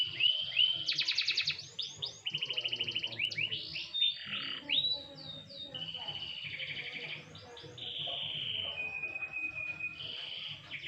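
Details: Canary set out to sunbathe lightly, giving a loud rapid trill, curling whistles and a sustained steady warble, fading toward softer high notes, with faint background noise.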